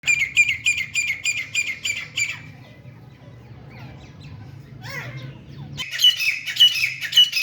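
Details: Grey francolin, also called teeter or grey partridge, calling during fighting: rapid harsh, squeaky notes repeated in a run for two seconds, a quiet pause with faint low rumble, then the shrill series resumes.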